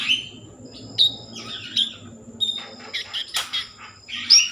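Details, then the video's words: Common iora in full song, used to stir breeding mood and coax other ioras into singing; scattered high chirps and short clear whistles, some rising, spaced irregularly over a few seconds, with a faint low hum beneath. "Konin gacor Mambangkit kan Birahi || pancingan konin agar bunyi"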